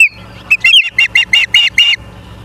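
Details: Osprey at a nest in Charlo, Montana, on a live cam, 09/03/2023 at 18:54: a run of about seven sharp, harmonic whistled chirps, evenly spaced and high-pitched, after a short downward opening note.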